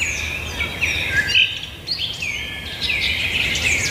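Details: Several birds singing outdoors: overlapping high whistled phrases and trills, some rising and falling, over a low steady background rumble.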